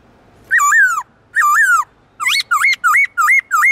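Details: Black-throated laughingthrush, a kept songbird in a forest-style, many-voiced song used to spur wild-caught birds: two long looping whistles, then five short rising-falling whistled notes in quick succession, clear and ringing over a quiet background.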